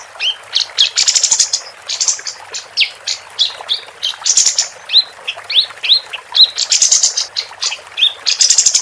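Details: Female capped white-eye in sustained, vigorous song, meant for training competition birds; a long run of rising whistled notes and bursts of bright, buzzy high twittering with only brief gaps.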